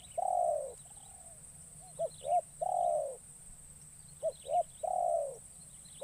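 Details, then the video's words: Captive spotted dove in training, brought into forest to attract wild birds, gives a repeating phrase: a long, burry, slightly falling coo followed by two clipped short coos, cycling about every two and a half seconds over faint steady hiss. "Burung Terkukur Pikat"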